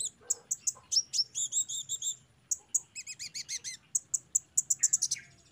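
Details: Sunbird song played as therapy for untrained caged birds so they start singing. A rapid series of high, bright chirps, some in clipped double-note groups, delivered almost continuously with brief pauses.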